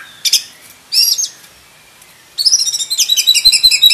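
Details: Oriental magpie-robin, black-breasted form, with two sharp whistled notes followed by a fast rhythmic run of repeated bright high phrases.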